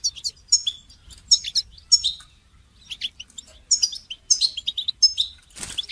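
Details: Goldfinch singing for song training: repeated sharp, descending chirp phrases about twice a second, with twittering between, ending with a brief rustling noise.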